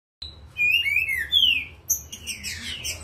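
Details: An agitated green-winged saltator in top form sings loud, slurred whistled phrases that rise and fall, then breaks into harsher, higher chattering notes over about three seconds.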